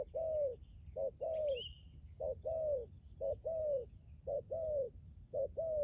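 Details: Decoy spotted dove from Lâm Đồng, Vietnam, a strong cooer: low, mellow coos in pairs, a short note then a longer falling one, repeated about once a second, with faint high chirps from small birds behind.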